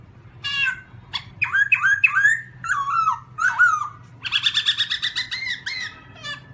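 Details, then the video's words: Black-throated laughingthrush mixing squawky, slurred notes with a fast, bubbling, harmonic chatter and a few drawn-out whistles, above a low background hum. "Black-throated laughingthrush (Garrulax chinensis): Funny Sounds And Funny Dances"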